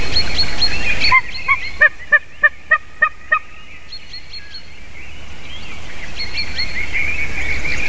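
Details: White-tailed eagle recorded on 28 March 2019 at 06:26: a run of about seven evenly spaced, clipped yelping notes with harmonics. A dense chorus of high twittering birds comes before and after the series.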